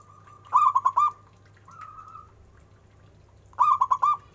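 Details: [2, 'Zebra dove of a local strain, with an exceptionally big voice. It gives a bubbling, cooing phrase of four rapid notes with a sustained tail. A short faint mid note follows, then the cooing phrase repeats about three seconds later.']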